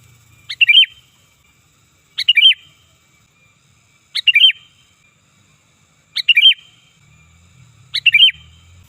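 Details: Sooty-headed bulbul, loud and fierce, used to call in birds: crisp three-part phrases, a short high note followed by a fluty falling warble, repeated every two seconds, five times in a row, over quiet low noise.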